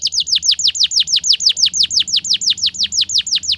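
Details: Canary tutor song in the ngriwik style for young canaries learning to sing, a fast regular series of loud downward-curving whistled notes, around five per second, throughout.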